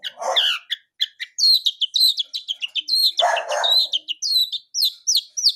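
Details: Wild long-tailed shrike (blangkon) in full bursting song with fill-in phrases: two harsh, rasping bursts amid a fast stream of sharp, varied chirps and chattering notes.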